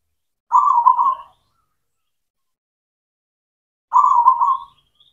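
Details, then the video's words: Local zebra dove lure song for reviving reluctant singers: two identical stuttered, burbling cooing phrases about three seconds apart, each close to a second long, with faint high chirps alongside. "PANCINGAN PERKUTUT LOKAL, PERKUTUT CEMANI GACOR, AMPUH UNTUK MASTERAN PERKUTUT BISU"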